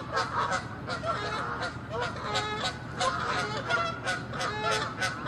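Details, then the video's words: Canada geese chasing and attacking one another over territory; a continuous chorus of overlapping, harsh honks with a buzzy, grating edge, kept up evenly across the whole stretch. "Geese fighting & honking loud sounds"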